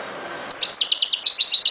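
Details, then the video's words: A European goldfinch delivers a quick series of high, tinkling twittered notes in rapid succession, clear and lively against a quiet backdrop. "chant de chardonneret"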